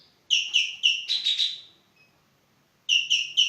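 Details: Javan green magpie (Cissa thalassina) in full voice: three sharp, evenly spaced metallic notes and a brief buzzy burst, then silence before another run of three notes begins.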